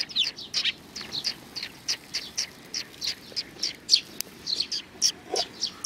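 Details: Several sparrows calling at a Tenmangu shrine, 31 May 2019, give a fast, continuous run of sharp high chirps, roughly three per second, with overlapping birds and faint ambient rumble.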